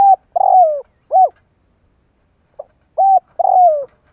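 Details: Decoy spotted dove calling to lure and stir up wild doves. A steady low cooing phrase of short coo, drawn-out falling coo and short coo is given twice, with a faint soft note between phrases, in a quiet setting.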